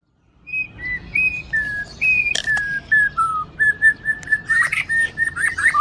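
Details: Caged Aceh white-rumped shama, a loud male kept at a breeding farm, singing a series of clear whistled notes. Each note is steady or gently sliding, and they come about once a second, dropping and rising in pitch, with a few sharp clicks mixed in.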